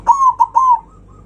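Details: Loud zebra dove song used to rile rival birds: three short, clear cooing notes in quick succession, the last one drawn out and fading softly.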